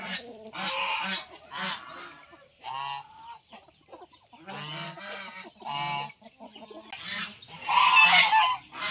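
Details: White geese at a poultry farm alongside fighting chickens give scattered honks separated by quiet gaps, ending in a louder harsh outburst near the end.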